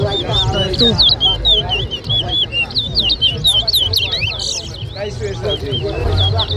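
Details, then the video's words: Chestnut-bellied seed-finch, locally called towa towa, singing at a bird club whistling contest in Lusignan, Guyana, in 2023. It gives a lively stream of clear, slurred whistles rising and falling, with crowd talk and low hum behind. "TOWA TOWA BIRD WHISTLING COMPETITION"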